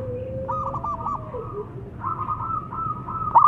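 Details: Local zebra dove song, long and prolific, used to coax birds that are slow to sing: quieter runs of quick, bubbling coo notes followed by a sustained level note, against steady low background noise.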